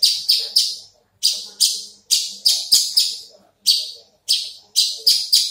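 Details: Caged Horsfield's bush lark, a large-bodied bird with a raised crest, singing harsh, buzzy high-pitched bursts that fall away quickly, repeated about every half second with irregular gaps and short pauses.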